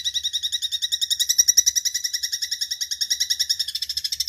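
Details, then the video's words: Eurasian tree sparrow, used as songbird training audio, giving a continuous rapid trill of bright, evenly spaced pulses, about eight per second, over four seconds, blurring slightly toward the end. "MASTERAN BURUNG GEREJA SADIS"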